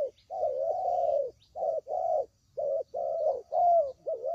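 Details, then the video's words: Spotted dove calls used as a lure for trapping; low, hoarse cooing phrases around 500–800, repeated in bursts of about half a second with short gaps, faint higher chirps of small birds in the background. "Suara Pikat Burung Tekukur Paling JITU"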